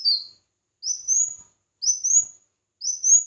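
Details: Competitive singing by a red-whiskered bulbul: short, clear, upward-sliding whistled phrases repeated about once a second, the first one cut to its falling tail.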